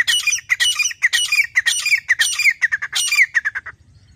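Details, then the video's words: Grey francolin, the teetar, calling in jungle with a long rapid series of loud, harsh, ringing notes, about two per second, grouped in phrases that speed up and then fade into shorter notes. "grey Francolin calling"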